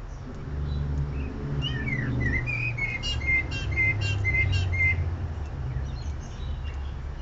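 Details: Male bird whose songs start alike but end with varied tones and melodies; a series of clear whistled notes, some sliding up or down, over a steady low hum.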